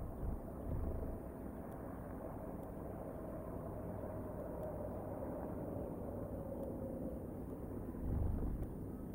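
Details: Steady low rumble of passing vehicles and engine noise, with faint ticking, and no animal voices.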